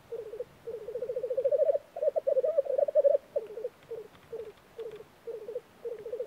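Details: Black grouse on a Norwegian spring lek: low pulsed bubbling cooing, a steadily swelling run followed by choppy phrases and brief separated bursts.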